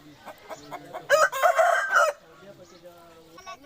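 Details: Aseel rooster giving a single rasping, broken crow of about one second, rough and hoarse. Softer clucking and short tonal calls from other fowl come before and after it.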